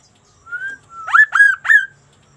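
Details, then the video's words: Sunda laughingthrush in vigorous song: a clear whistled note, then three loud, rich notes that each sweep up sharply and level off, evenly spaced about a quarter second apart. "GACORNYA KASO-KASO INI BERBUNYI TAK BIASANYA"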